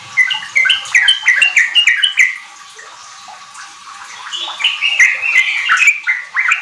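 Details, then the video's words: Lure song of a Sooty-headed bulbul for untrained kept birds, meant to bring on riwik and ropel singing. A burst of rapid notes, a brief lull, then a second, higher and busier burst. "Pancingan trucuk ampuh bikin trucukan bahan cepat riwik ropel gacor"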